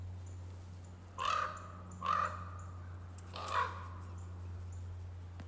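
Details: A Common Raven, mobbed and chased off by two Cooper's hawks near a small woodlot on 2023-03-11, gives three deep, hoarse croaks about a second apart, the last weaker, over a steady low hum.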